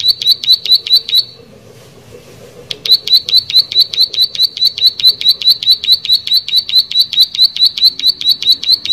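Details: Plain prinia pours out a quick, regular series of high, buzzy clicking notes, falls silent for about a second and a half, then resumes the same rapid rhythm at length.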